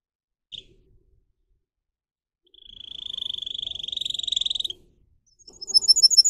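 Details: Canary song used for training a singer canary: a short chip, a pause, then a rising, swelling roll of rapid buzzy pulses for about two seconds. After a gap, high sharp repeated notes begin.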